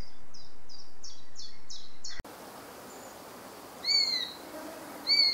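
Common Buzzard giving two short, downslurred mewing calls about a second apart, after a rapid run of six thin, high descending notes; faint background hiss throughout.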